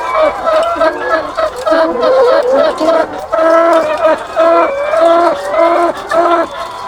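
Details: Farm hall of thousands of laying hens: repeated loud, nasal, level calls come in quick bursts, layered over a constant chorus of clucking from the crowded flock.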